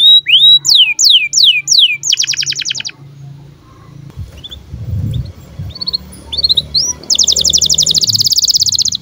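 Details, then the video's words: Breeding-condition canary chirps for tutoring young birds: several steep whistled upsweeps, then a dense buzzy trill, a quieter gap, short chirps and a second long rapid trill; a faint low hum underneath. "KENARI GACOR Cuit CUIT BIRAHI UNTUK PANCINGAN & MASTERAN Kenari PAUD AGAR BUNYI DAN NGEROL"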